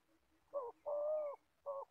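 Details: In Gia Lai, Vietnam, an old spotted dove kept as a trapping decoy gives a close coo phrase: a short note, a long steady hollow note, then another short note.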